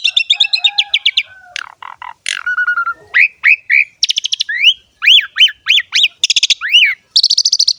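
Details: Pied starling song for training and luring starlings of many kinds: stuttered chatter, a drawn whistle, then a series of loud rising-then-falling hooked whistles alternating with dense buzzy rattles.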